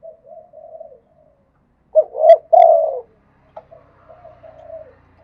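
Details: Spotted dove singing in the khat and nun styles: a loud three-part phrase with a short note, a rising coo and a long falling coo. Softer, quieter cooing runs before and after it.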